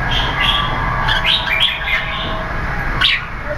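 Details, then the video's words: Keke competition singing from a red-whiskered bulbul (Jambul) with tail feathers still growing: a burst of clear, sharp chirped notes between one and two seconds, another bright phrase near three seconds, against constant low rumbling noise. "Hammer Keke Competition Jambul"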